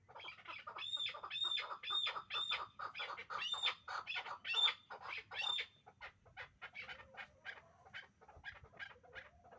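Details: Last year's hybrid chukar partridge calling: a loud run of rasping chuk notes with short, high, thin whistles laid over them during the first six seconds, then softer scattered clucks and a wavering lower note.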